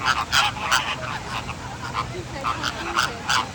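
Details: American flamingos in Singapore give loud, nasal, goose-like honks, several birds calling in quick overlapping bursts about twice a second, with faint human voices and laughter behind.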